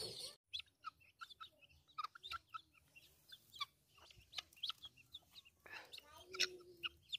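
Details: Keets of helmeted guineafowl, hatched under a chicken, on their first outing to graze grass with a chick among them; sharp high chirps repeated at uneven intervals, fairly clear against a quiet background, with a brief noisy burst near the end.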